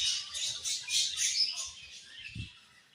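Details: Budgies in a flock giving continuous high, harsh chattering chirps with squawky notes, a faint low rumble underneath.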